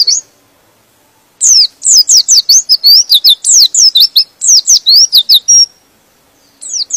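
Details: White-eye song that stirs other white-eyes to join in: after a brief chirp, a steady four-second stream of high, quick twittering notes, each sharply slurred, ending in silence and a final faint chirp.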